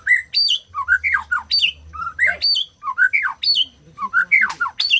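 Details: White-rumped shama song played to stimulate silent birds to sing: loud varied phrases of rising and falling whistles mixed with harsh squawky notes, repeated in quick bursts with short gaps.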